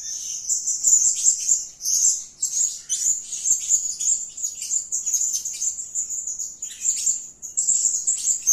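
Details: Serindit, the blue-crowned hanging parrot, in energetic calling: a stream of piercing, very high-pitched squeaky notes and fast twitters that pour out in dense bursts, with brief dips between them.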